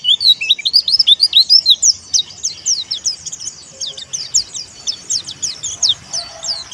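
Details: 'Dakun wilis' white-eye calling out rivals, a recording played to stir kept white-eyes into song: fast, high, squeaky chirps tumbling together at first, then more spaced, evenly repeated upslurred notes.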